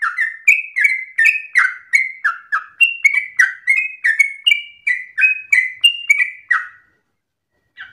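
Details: Yellow-vented bulbul, singing insistently with long breath in an easily copied phrasing for training other birds: a quick series of clear whistled notes alternating in pitch, stopping abruptly near the end before one last soft note.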